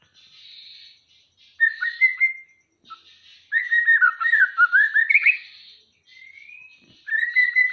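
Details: Contest-ready white-rumped shama from Aceh sings loud bursts of quick warbling notes mixed with sweeping whistles, separated by short quieter pauses.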